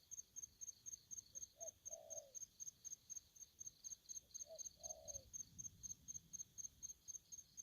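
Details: An aggressive spotted dove utters two paired coos, a faint short note then a fuller prolonged one, spaced about three seconds apart, while crickets chirp rapidly and evenly in the background.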